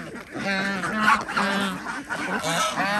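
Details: Feeding-time calls from farm ducks in an Andhra Pradesh village, with chickens and geese also kept; short, nasal, buzzy honks repeat quickly and overlap, the loudest bursts coming in the middle.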